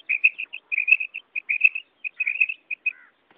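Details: Karak call of a quail, short clustered chirps of similar pitch strung in uneven bursts, ending with one lower drawn-out note.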